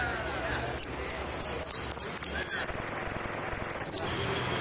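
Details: High phrase of a Saffron finch (jilguero argentino): varied whistled notes and downslurs, then a long rapid rattling trill of fast, uniform pulses before a final falling note.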